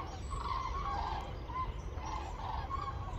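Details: Common Cranes (Grus grus) in Campo del Moro gardens, Madrid, on 21 February 2024, as wintering birds leave Iberia northward; several give overlapping rolling, trumpeting calls in bursts over a steady low rumble of wind or distant traffic.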